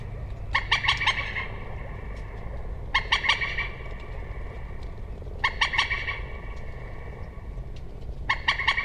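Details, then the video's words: Common moorhen calling in four regular bouts, each a rapid chatter of four or five harsh, clipped notes, spaced about 2.5 seconds apart over a low hum. "Moorhen Bird Sound | Beautiful Calls & Sounds of the Common Moorhen"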